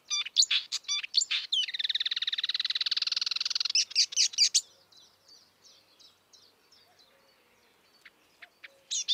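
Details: Singing marsh warbler in the wild: rapid varied chirps leading into a long, harsh buzzing trill of nearly two seconds, followed by more quick notes and quieter soft chips.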